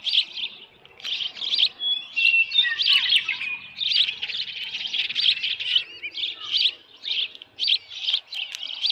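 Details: At the Dunrovin Ranch nest on 10 June 2018, early evening, with a headless fish present, an osprey keeps up high, piercing chirps, rapid and overlapping, with short pauses between bursts. The recording comes from a nest camera.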